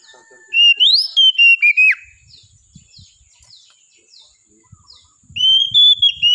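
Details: Oriental magpie-robin (kacer) in lively song: a burst of loud rising and falling whistles with quick chirps, a quiet pause of a few seconds with faint high ticks, then another strong whistled phrase at the end.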